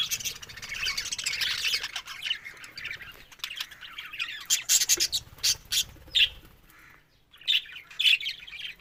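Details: Budgerigars on October 1 giving a dense scratchy warble that thins into separate sharp chirps and squawks, with a brief near-silent pause before the last calls.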